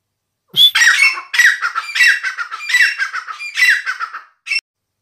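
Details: Grey francolin, called dakhni teetar, a fully hand-tamed bird weighing 560 grams, calling loudly indoors: a long burst of harsh, rasping, rapidly repeated notes over about four seconds, then a short final squawk after a pause.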